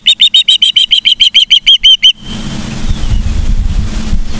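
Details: Osprey at a Charlo, Montana nest, 15 September 2023, 12:55: about a dozen loud, high whistled chirps in quick succession, then a rushing, rumbling noise like wind or handling fills the rest.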